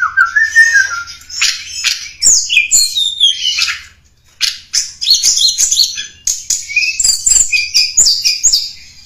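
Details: Lure song of a snowy-browed flycatcher: a lower wavering whistle opens, followed by jumbled high chirps and slurs, a short gap, then a long varied twittering sequence.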